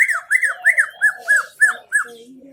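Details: 'Isian MB' song of a greater green leafbird, Aceh Tengah: seven evenly spaced, arched whistled notes in about two seconds, each swelling and falling, over a soft lower hoarse tone that ends the phrase.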